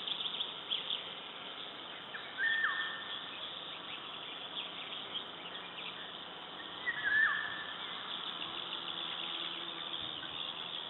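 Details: Eurasian golden oriole in Latvia, 16 May 2012, giving two mellow fluting phrases that level off then slide downward, roughly five seconds apart, against a busy background of other small birds twittering.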